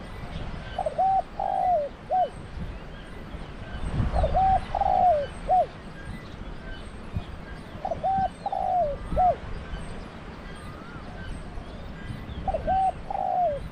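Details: Thai decoy spotted dove cooing steadily: four three-note phrases spaced roughly every four seconds, each a brief coo, a drawn falling note and a short hooked close, with faint chirps of other birds and low background rumble.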